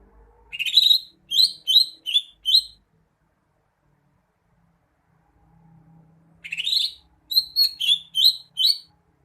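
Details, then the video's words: Greater green leafbird song in two bouts about six seconds apart, each a rapid run of four to six bright, slurred whistled notes, sharp and emphatic, separated by silence. "Kicauan burung cucak hijau"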